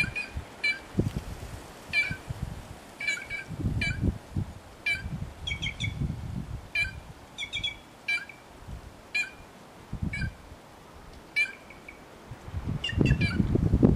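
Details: White-naped jay vocalising freely outdoors: a long series of short ringing clucks and chirps, often paired, repeated every second or so, with intermittent low rumbling noise.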